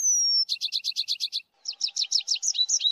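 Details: Song of a tree pipit: a long thin sustained whistle gives way to a fast, even series of buzzy chips. After a brief pause comes a rapid trill ending in warbled whistles. No other sounds are heard.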